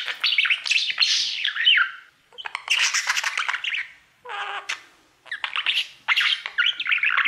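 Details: A caged male budgie sings to his mirror in bursts of scratchy chatter and squeaky whistles, separated by short silences, with rising and falling slurred notes.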